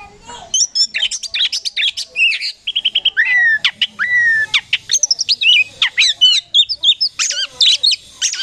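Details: Oriental magpie-robin of the poci form, singing actively in the rolling 'gacor ngeroll' style: a dense, unbroken run of varied clear whistles, slurred sweeping notes and sharp high chirps with only brief gaps, and no other sounds.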